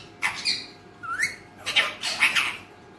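An Alexandrine parakeet gives a few harsh, raspy speech-like syllables with a quick rising whistle between them, in a quiet room.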